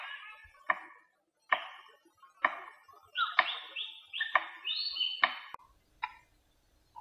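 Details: Cockatoo drumming as courtship: sharp, dry knocks struck roughly once a second, with loud rising whistled and screechy calls woven between the beats midway through.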